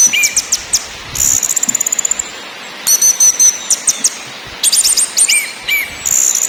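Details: Orange-headed thrush (anis merah) singing in ngakrak, ngeplong and nyiul styles: loud clusters of very high buzzy, stuttering notes broken by pauses, with a few lower whistled notes, then a final high whistle.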